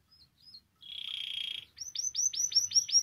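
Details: Spanish timbrado canary singing, recorded as a song-training example: two faint short notes, then a steady buzzy tone lasting under a second, followed by a fast run of downward-swept notes.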